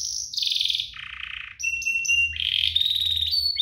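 Canary song in rapid rolling trills that step down in pitch, then thin whistled notes and a bright buzzy trill, all high and fast.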